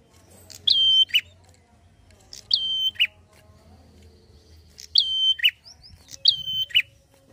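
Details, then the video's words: A prinia sings rapidly, giving four loud two-part phrases, each a clear high note dropping to a lower one, about every one to two seconds. "Prenjak Gacor ngalun cepat pancing emosi prenjak bahan"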